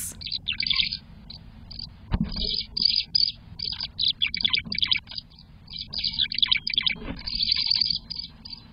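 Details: In spring, a Tree Swallow checking out a nest box beside a chickadee's box gives rapid, high, liquid chirps and twitters in bursts with short pauses, over a faint low background rumble.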